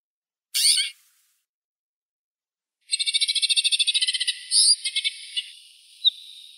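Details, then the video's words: White-winged snowfinch (Montifringilla nivalis): a brief harsh note, then a fast run of about twenty dry, buzzy, high-pitched chattering chirps, ending in a few scattered notes. "Воробей снежный (Montifringilla nivalis)"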